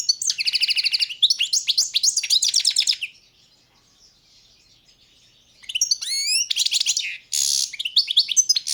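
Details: Goldfinch song from a 2022 world championship, subspecies balcanica: three seconds of rapid repeated high trilled notes, a pause, then rising slurred chirps, a harsh buzzy burst and more twittering.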